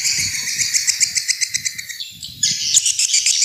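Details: Swiftlet lure call, an old-style recording used to attract swiftlets: fast trains of high, thin chirping pulses about four per second, pausing briefly near two seconds before a denser burst of twittering resumes.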